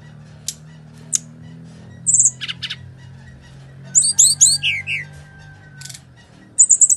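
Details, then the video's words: Bali myna fighting song as a lure to stir quiet birds: scattered sharp high clicks, rasping bursts, then a cluster of quick looping whistles and descending notes, ending in a buzzy stuttered burst. "SRDC Full Tarung GACOR//Cocok Untuk Pancingan SRDC Malas Bunyi"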